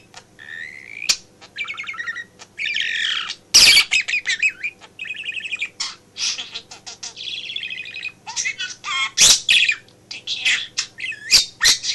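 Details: Male budgie kept as a pet, chattering and mimicking speech while its owner works from home; long stream of buzzy, wavering warbles, squeaks and sharp clicks, nearly continuous, over a low steady hum.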